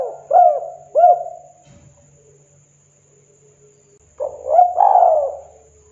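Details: Local wild spotted dove in the rare "KUK 2" song style. Two hooked coos, then a pause with a brief low rumble, then a fresh phrase building into a long mellow coo.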